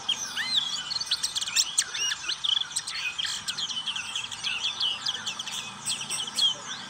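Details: Black-capped white-eye singing in the ngriwik style: a dense, rapid chatter of high, thin chirps and quick down-slurred whistles, tumbling almost without pause over a faint background hiss.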